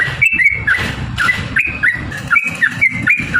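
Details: Sooty-headed bulbul in energetic lure song, 'gacor' style: scattered short liquid whistles, some falling, against strong broadband background noise.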